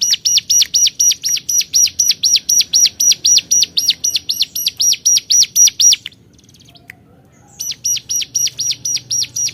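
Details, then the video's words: Hill prinia challenging rivals with a long even series of about twenty-two bright, high looping notes at four per second, a short silent gap, then the series resumes steadily. "Cuap cuap cuuapp, Burung Cigun Gacor Memanggil Lawan"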